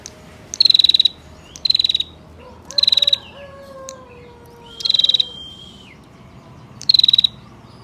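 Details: Trilling call of a female bar-winged prinia, used to provoke males to sing. Five quick pulsed high trills come roughly every second or two, over soft, lower whistled notes from other birds.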